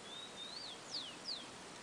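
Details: Garden recording of a Rufous-collared sparrow: a drawn-out high whistle swells and dips, followed by two clear, falling slurred notes, all against a light hiss.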